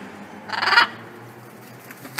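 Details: Wild blue-and-yellow macaw visiting daily to be fed, one loud harsh raw squawk lasting about a third of a second, broadband and grating, then quiet with faint background noise.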